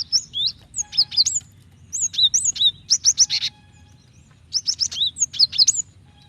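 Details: Female cinereous tit calling to the male, used to prompt males to sing: bursts of high, sharp, squeaky chirps with quick up-and-down sweeps, grouped in three rapid volleys separated by short pauses.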